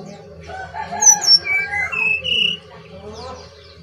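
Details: Whistled song of a Brown-chested jungle flycatcher from Bali: high sliding notes, then a rising series of clear whistles that stop abruptly, with faint chattering and a low background hum.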